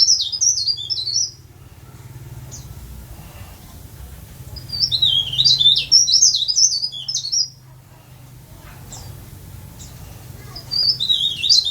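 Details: Tame caged leaf warbler, known locally as blereng, tralis, cikrak daun, pare-pare or sirlis, in full song on pellets and grubs; very high, rapid zigzagging twitters in bursts of several seconds separated by quiet spells, with low background hum.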